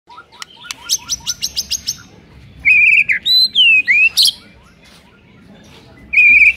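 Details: White-rumped shama song meant to provoke a sluggish shama into singing: a quick series of sharp high chips, then loud slurred whistles sweeping up and down, a pause, and a final clear whistle.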